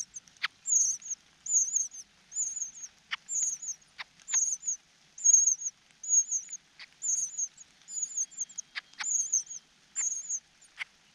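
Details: Cuckoo chick being fed by its foster parent, unable to swallow the food: high, thin wavering squeaks repeated roughly once a second in short bursts, with sharp clicks and taps between calls.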